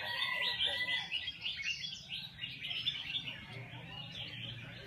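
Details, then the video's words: Red-whiskered bulbul in a cage, singing as practice. Rapid bursts of bright chirping notes come roughly three or four per second, tapering slightly toward the end, with a low hum behind. "Chao mao ti hon moi xong long di dot coi"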